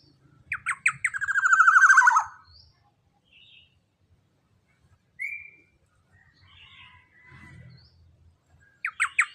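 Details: Young black-naped oriole with a big body and loud voice, used to train captive birds: harsh notes rolling into a buzzy trill, a long silence with one short rising whistle, then the harsh opening notes again.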